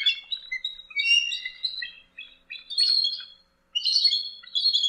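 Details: Bald eagle giving a run of high, squeaky, tumbling notes, overlapping twittering phrases rising and falling in pitch, with a short pause before a final bright burst.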